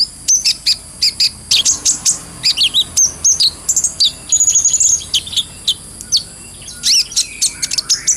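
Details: Brown-throated sunbird singing an energetic, clear ngobra song used as a lure for training birds. Quick high chirps and buzzy trilled notes follow one another almost continuously, with a brief thin rattle in the middle.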